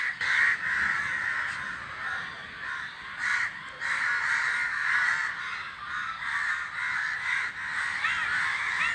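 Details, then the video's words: Flock of crows calling while flying: dense overlapping harsh caws, two or more per second, merging into a continuous noisy chorus with no other clear sounds. "The crow said something, after which the flock of crows is making a flying noise."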